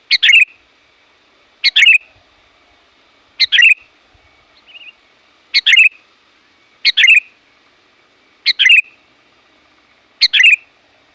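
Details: Sooty-headed bulbul calling tirelessly to summon wild bulbuls, its loud varied phrases repeated seven times at roughly one-and-a-half-second intervals, each a short sharp note run into a bubbly descending warble, with a faint twitter in one gap.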